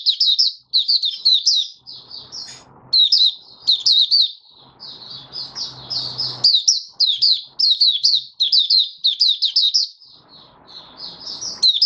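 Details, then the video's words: Oriental white-eye in a cage, open song on the fifth day after monthly deworming, January 2022: continuous high chattering and twittering phrases with brief pauses, over intermittent low rumbling background noise. "Mata Puteh Raja Video 1 buka sing"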